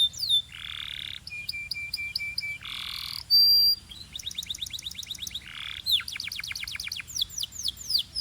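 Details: Canary song of the Belgian breed, used to stimulate females and warm up other canaries: fast trilled tours and bursts of falling whistles, broken by short harsh noisy bursts.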